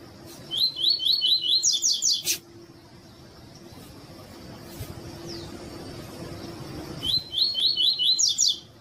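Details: Female Double-collared Seedeater (coleiro) calling, used to stimulate males to sing: two bursts of quick, high, sharp chirps in a rapid run, separated by a quiet stretch. A low steady hum and a single loud click are also heard.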